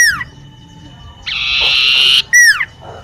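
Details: Common iora singing in a garden near a home. The clip opens with the tail of a descending whistle, then a buzzy trill of about a second, then a bright whistle sliding downward.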